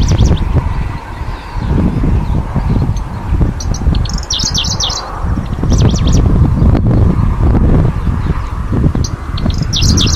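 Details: Middendorff's grasshopper warbler singing on its breeding grounds in Hokkaido's natural flower meadows, 2023; short bursts of high, rhythmic chirping phrases repeat through strong gusting wind that dominates the background.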